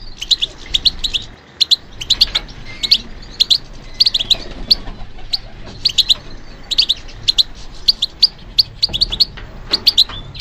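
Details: Competition-trained European goldfinch pours out a steady stream of high twittering notes in tight bursts, continuous over the whole stretch with slight background noise.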